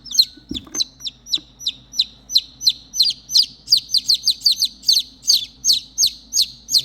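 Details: Lost baby chicks, three of them, chirping for their missing mother hen: a rapid run of shrill descending peeps, some doubled, roughly two or three per second, with a soft low background hum.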